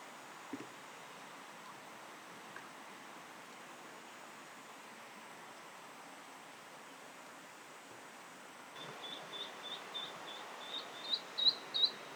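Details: Eastern Spot-billed Duck ducklings, left behind by their mother in tributary bushes near a weir, give thin, high peeps, about three a second and growing louder, after a long stretch of quiet outdoor hiss.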